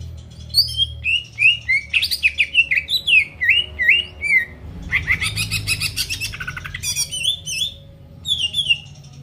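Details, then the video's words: Greater green leafbird in energetic song to trigger rival birds: a quick series of sliding whistled notes, a dense rattling chatter, then more sharp downslurred whistles with short pauses. "PANCINGAN CUCAK IJO GACOR BUKA PARUH BIKIN LAWAN CEPAT ON LANGSUNG EMOSI DENGAR SUARA INI"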